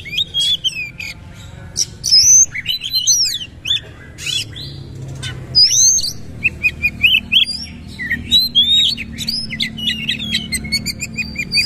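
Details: Oriental magpie-robin giving forceful bursts of song while repeatedly bowing, a busy mix of harsh rasps, clicks and clear upward and downward whistled notes, some phrases quickly repeated.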